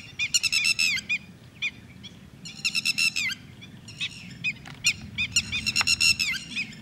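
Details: Red-wattled lapwing at Thol bird sanctuary giving loud, shrill, harmonic call notes in quick bursts of three to five, repeated every second or so, over a low rumbling background.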